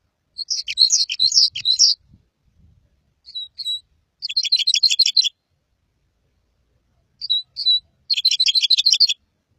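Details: Red crossbill singing: three bursts of rapid, high, chattering chirps about a second long, the later two each led by a couple of short downslurred whistles, spaced roughly four seconds apart in a quiet background.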